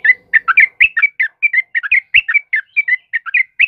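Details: Chatty sooty-headed bulbul song meant as a master recording and lure for training cage birds: quick bubbly whistled two- and three-note phrases, rising and falling, repeated steadily with short gaps, faint low murmur at the start.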